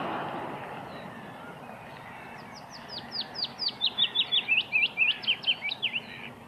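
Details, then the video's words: Wood warbler singing actively: a run of thin, high, downslurred notes that speed up into a shivering trill lasting about three seconds, over a soft background hiss. "Burung Cikrak Daun Gacor (Wood Warbler birds)"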